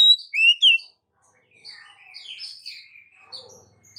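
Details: Female Oriental magpie-robin calling for the male opens with three loud clear whistled slurs, then trails into a quieter stretch of scratchy, warbling twitters and soft chatter.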